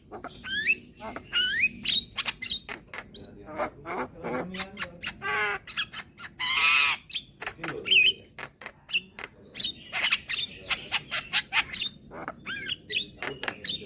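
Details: Young white-eyed Javan myna, calling actively while head-bobbing, used to lure other mynas: a rapid run of harsh squawks, chattering bursts and short whistled notes, some sliding, with a few faint human voices.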